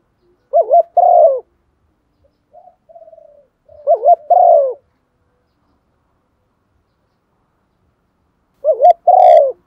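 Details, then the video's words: Spotted dove kept as a decoy to stimulate others to call, uttering low double coos, a wavering note then a falling one, with a soft muttered passage after the first and a long silent pause before the last. "Chim cu gáy đất thúc gù bài bản/ chim cu mồi giọng bài bản kích là gáy"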